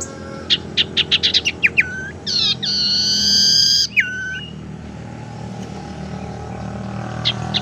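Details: Lure sound of a tailorbird, meant to coax silent birds into singing or to trap them: a rapid run of sharp high chips, then a long bright buzzy trill and a short bent whistle, followed by quiet.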